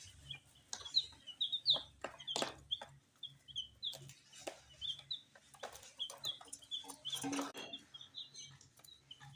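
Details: Tiny colored domestic chicks eating spicy puffed snacks, giving a steady run of short, high, downslurred peeps, several each second, over sharp pecking and tapping clicks and a faint low hum.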